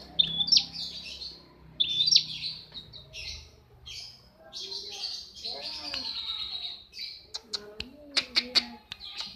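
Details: Long-tailed shrike in breeding condition mixing whistled, slurred notes and long raspy buzzes, ending in a series of sharp clicks and squeaky chirps, with faint low background noise.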